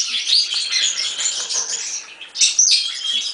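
A European serin sings a fast, high, jingling stream of sizzling notes with a glassy, metallic ring, running almost without pause.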